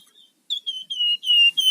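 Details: Whistled 'gacor' song of a rufous-fronted laughingthrush, in 'ngebren' and 'nyiul' styles, used to lure and train other birds: a soft note, then five loud clear whistles, each sliding slightly downward.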